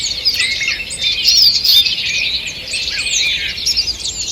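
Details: Wild birds in a forest at dawn, 2 June 2023, sing together: busy high twittering with sharp downward-slurred notes and a louder burst of chirps midway, over faint steady forest noise.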